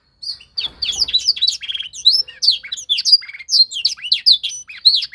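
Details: Young canary learning a master song during singing training: a brisk, varied run of high twitters, descending whistles and short rattled trills, with a faint low thump near the start.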